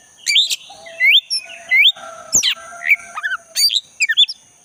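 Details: Forest recording of a black-breasted white-rumped shama, played to prompt a caged shama back into song: varied rising whistles and sharp chirps in short phrases, with a thin, steady lower insect buzz behind.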